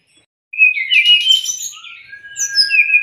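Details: Brown-chested jungle flycatcher song for training caged birds. Silence gives way to a loud burst of buzzy, whistled notes, then a softer sustained tone and sliding high whistles.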